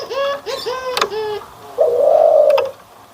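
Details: Local dove, one of a white and a brown bird compared for their cooing: a series of arched, hollow coo notes, then a longer steady tone near the end, indoors.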